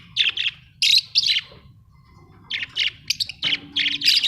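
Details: Pet budgerigars at home chatter in dense runs of raspy, buzzy chirps, pausing briefly before another quick series of harsh notes.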